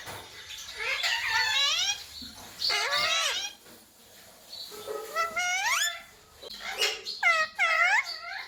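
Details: Pet rose-ringed parakeet repeating learned words such as "mummy" and "papa": a string of squeaky, nasal, speech-like syllables with bending pitch, in four bursts separated by brief pauses, recorded indoors with faint room noise.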